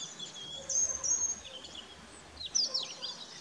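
Northern lapwing giving two high, wheezy, slurred call notes, one early and one near the end, over a steady background hiss.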